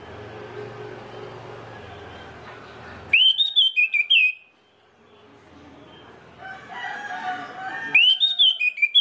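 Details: Song of an orange-headed thrush, meant to stir other birds of its kind to sing: two quick phrases of loud, slurred whistles about five seconds apart, with low murmuring noise between them.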